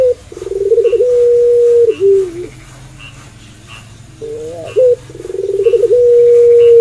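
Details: Puter pelung dove singing at night: a rapid stuttering run of pulsed notes that settles into a long sustained hum-like coo, a pause, then the same pattern repeated, loud and close.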